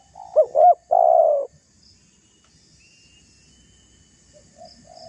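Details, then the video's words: One spotted dove phrase meant to provoke a rival: two quick looping notes and a long steady coo, then near silence with faint distant coos. "Suara tekukur GACOR merayu lawan agar terpancing emosi cocok untuk pancingan"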